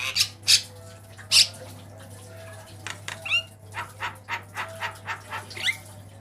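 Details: Black-winged myna song, varied, used as a master recording for training cage birds: harsh, raspy squawks, a quick rising whistle and a run of about nine short, scratchy notes, roughly two per second, over steady low electrical hum indoors.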